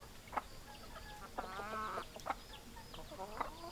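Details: Chickens on a farm, hens clucking with short harmonic clucks and a drawn-out nasal cackle near the middle, separate clucks spaced about a second apart, with faint background hum.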